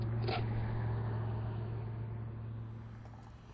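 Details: A steady low engine rumble with a droning hum slowly fades away, with only a brief click near the start and no animal voices.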